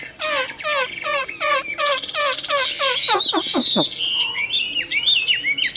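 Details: Tame caged Chinese hwamei in full song: a run of loud, harsh, descending notes repeated about five times a second, then sliding whistles and a varied, bubbling, high warble.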